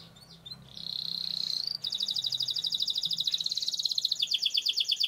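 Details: Canary song used as a training lure: a steady whistled note near the start, then a long fast roll of rapid repeated buzzy trills, shifting pitch partway through.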